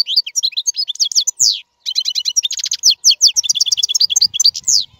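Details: European goldfinch, a free-living royal goldfinch, singing for caged young birds to learn: fast twittering song of bright chirps, trills and downslurred notes, with a brief pause before a rapid buzzy run of repeated notes.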